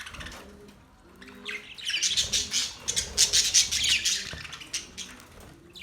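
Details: Budgies chirping in a lively burst of rapid, buzzy high twitters and squeaks that swells in the middle and fades toward the end.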